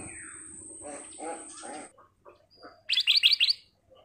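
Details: A golden-vented bulbul in full, crystal-clear song, used as a lure recording: short bursts of bright, chattering notes ending in a quick run of high, clear chirps, with a steady high whine underneath the start.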